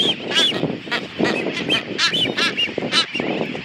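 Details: Blue-footed boobies on their nests feeding hatchlings in a Wake Atoll bird sanctuary, seen on a guided tour: harsh, nasal honking calls rising and falling, with a few thin whistled notes amid a dense colony din.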